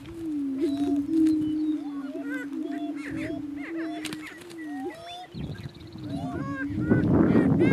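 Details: Two male Greater Prairie Chickens battling for dominance on a lek in northeast Kansas: a steady low moaning hum runs throughout, overlaid by frequent sharp cackles, whoops and rising yelps, with a burst of rough noise near the end.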